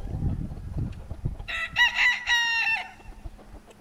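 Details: Crowing cockerel of decorative breeds like Brahma or Pavlov, Altai, February 2016: low thumps and shuffling, then a strong harmonic crow of about one and a half seconds with a brief rise in the middle, and a faint hum behind.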